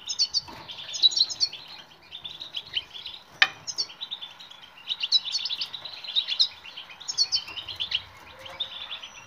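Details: European goldfinch singing twittering phrases meant to make silent goldfinches sing: clusters of sharp chirps and buzzy trills in waves, with one sharp click midway.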